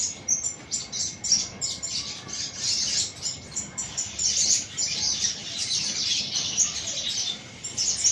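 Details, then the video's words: Sunbird giving a fast, high, continuous twittering of thin chirps and tinkling notes, sounding almost unbroken, over a low background hiss. "kicau madu"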